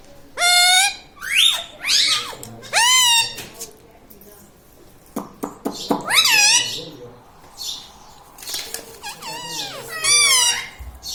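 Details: Pet parrot indoors, taught to say phrases such as "radhe radhe" and "mummy papa". Short high-pitched rasping word-like utterances come in bursts, with a woman speaking and coaxing between them in a small room.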